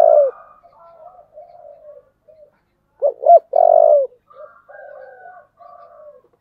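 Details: Spotted dove with a low 'giọng thổ' voice, cooing to provoke fighting: a loud opening coo, then soft murmuring notes, then two short rising coos and a long, level, drawn-out coo around three seconds in, followed by quieter echoing coos.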